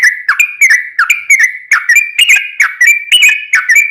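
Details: Yellow-vented bulbul in full, lively song used as a lure: rapid bubbly whistles with sharp attacks, short up-and-down glides strung together in a restless, chattering phrase.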